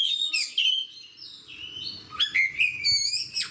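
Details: Kept oriental magpie-robin singing aggressively as a fighter: clear sliding whistles, a long falling note, then quick sweeping phrases and sharp upslurs near the end, continuous and melodic.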